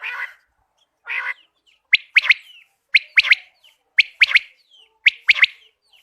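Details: Common quail calling outside a cage: two soft, rough nasal notes, then sharp, clipped three-note phrases, each a quick high triple click-whistle, repeated about once a second, four phrases in all, with a quiet background.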